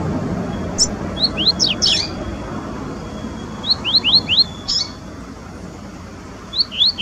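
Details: Wild double-collared seedeaters singing in nature, Brazil: phrases of three to four quick upslurred high whistles mixed with buzzy chips, repeated every few seconds, over light low background noise.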